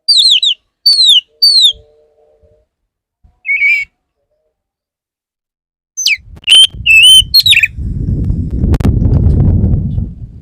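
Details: Male Oriental magpie-robin courting a female: three descending whistles, a short wavering phrase, then rapid chips and whistles as loud low rumbling noise rises toward the end.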